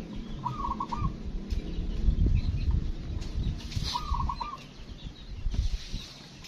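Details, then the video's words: Morning song of a local zebra dove in a peaceful village countryside: two short rolling coo phrases about three seconds apart, fainter against constant low rumbling and scattered background noise. "PERKUTUT LOKAL GACOR"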